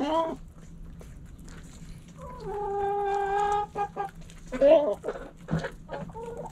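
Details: Backyard hens clucking: one drawn-out, even, harmonic note of about a second, followed by a few sharp rising squawks and short clucks, with a faint steady hum underneath.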